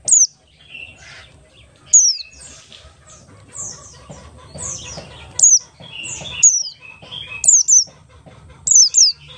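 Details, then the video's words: Oriental white-eye of the buxtoni race, sung in the ngalas style and used as a lure to get other white-eyes singing. Sparse, very high, sharply falling whistled notes in pairs, separated by quieter twittering and faint low background noise. "pleci Buxtoni ngalas 12345 pancingan pleci bahan agar cepat bunyi"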